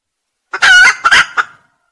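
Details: Red junglefowl crow for use as a lure: one short, abrupt crow, a loud harsh first syllable followed by two quick clipped notes, fading fast into silence.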